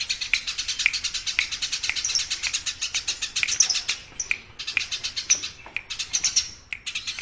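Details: Noisy, sharp tree sparrow chatter for training songbirds: dense, steady series of quick harsh chirps, two to three per second, running on almost without pause.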